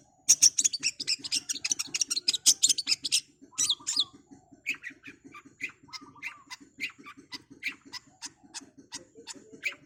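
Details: Long-tailed shrike (cendet) opening with a dense rattle of piercing high notes, then sparser sharp chips and short low warbles, over a persistent low pulsing tick.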